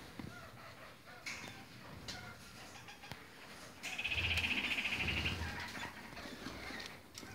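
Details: Red-crowned parakeets (kakariki) in assorted colour varieties, kept birds: a fast rattling chatter of evenly repeated clipped notes lasts about a second and a half, set among quieter scattered chirps, tapping and faint rustling.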